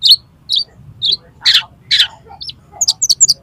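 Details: Oriental magpie-robin pouring out its mimicked repertoire while challenging another magpie-robin to fight, tail spread: high whistled chirps roughly every half second, then harsh rasping bursts and a quick run of sharp notes over a low steady hum.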